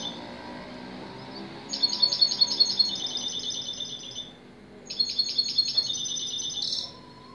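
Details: European goldfinch singing two bursts of song, each a rapid string of bright, ringing twittered notes that turns into a buzzier, lower passage. A quiet pause separates them and a faint steady hum runs underneath.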